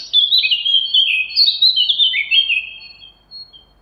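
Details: Loud, mellow fluting from a Eurasian blackcap, a smooth chain of whistled notes sliding downward and fading out near the end.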